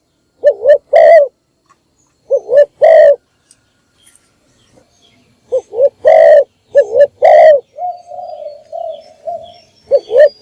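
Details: Spotted dove used as a decoy to call in wild doves, morning calling: paired coos, a quavering note then a drawn-out one, repeated several times, with a steady faint hum briefly heard between phrases.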